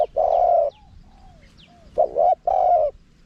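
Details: Spotted dove with a small voice in karam style, with khat and nun, played to entice wild doves. A long mellow coo, a pause with soft faint whistles, then a double coo and another sustained coo.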